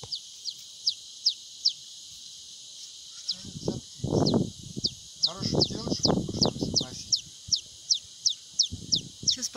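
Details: A newborn painted spurfowl chick, found near Bear Mount, gives thin, very high peeps, steadily repeated two or three times a second, while a person talks over the middle.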